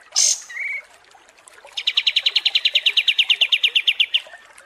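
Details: Kapas tembak songbird in long masteran audio used to train competition birds: two short high chirps, then a quick, shooting trill of crisp repeated notes lasting over two seconds, slightly uneven in spacing.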